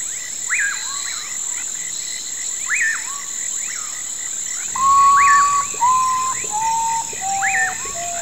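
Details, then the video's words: Urutau, the common potoo, gives a slow falling series of sustained plaintive whistles in the second half. Before that, repeated rising, hooked calls and a continuous shrill insect hum fill the night background. "O canto misterioso do Urutau: Ave Fantasma e Rei da Camuflagem (Nyctibius griseus) - Common Potoo"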